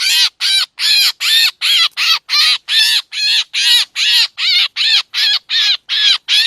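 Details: Black drongo call used as bait sound for trapping in Laos and Isan, Thailand, said to attract mynas too: a regular chain of rough, buzzy notes, about sixteen across six and a half seconds.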